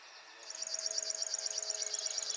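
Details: Singing male River Warbler at RSPB Ham Wall, recorded early morning by digiscoping after the bird woke and preened; a dry, rapid, insect-like reeling of evenly pulsed high buzzy notes, building in loudness and running continuously.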